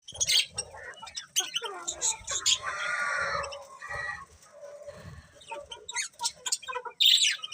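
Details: Several budgerigars chattering in a mix of scratchy warbles and bright high chirps, with short sharp notes at the start and end and a longer buzzy passage in the middle.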